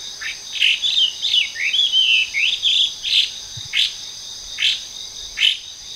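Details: Hwamei (Gabicho) singing in trees in a park in Japan, where it is an invasive foreign species. A rich run of slurred, whistled phrases gives way to loud, downward-swept notes repeated almost every second, over a steady high insect drone.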